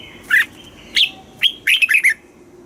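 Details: Caged Red-whiskered bulbul from Thailand in the southern master song style, used to rouse caged birds and train young ones: three spaced whistled notes followed by a rapid tumbling cluster of four chirps.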